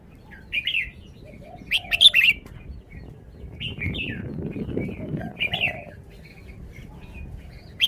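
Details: Red-whiskered bulbul singing several short whistled, warbling phrases spread across the recording, with some low rumbling noise and faint lower-pitched chirps in between.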